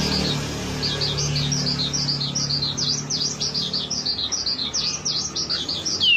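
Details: Wambi song used as a lure to get caged birds singing: a rapid series of high, thin chirps and short V-shaped notes running without pause over a steady low hum.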